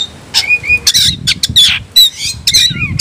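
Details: Oriental magpie-robin (kacer) calling an opponent to fight: separate loud notes, including level whistles, a harsh rasp and a falling slurred whistle, each followed by a short pause.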